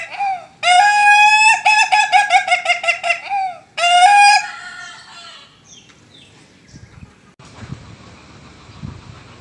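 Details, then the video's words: Laughing chicken (ayam ketawa) crowing in the dursam style. A long, stuttering, laugh-like run of rapid harmonic notes lasts about three seconds. After a short break comes a second, shorter burst, then only faint background noise. "ayam ketawa viral, dursam super"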